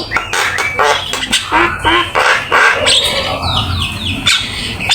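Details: Black-winged myna song used as a master recording for training, a lively full-content performance: harsh squawks and chattering notes mixed with whistled slurs rising and falling, delivered in rapid bursts with little pause.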